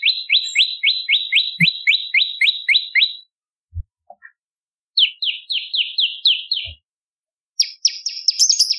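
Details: Bar-winged prinia song, used as a lure and as tutor material for magpie-robins and leafbirds: rapid bursts of downslurred chirps, roughly four a second, in three separate runs with short silences and a few soft knocks between them.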